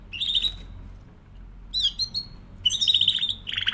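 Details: Canary sings short high trilled phrases broken by pauses, over a faint low background hum.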